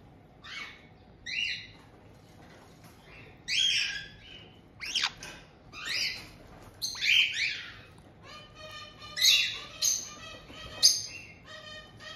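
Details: White-bellied caiques in a multi-bird indoor home in Hokkaido's Tokachi region, June 2023, as a resident pair welcomes a two-month-old newcomer. Scratchy chirps and squawks come first, then a run of rapid, buzzy, stuttering notes near the end.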